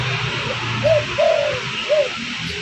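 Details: Spotted dove lure call to bring in birds: one short hollow coo, a longer drawn-out falling coo, then a final short coo, set against steady low hum and hiss.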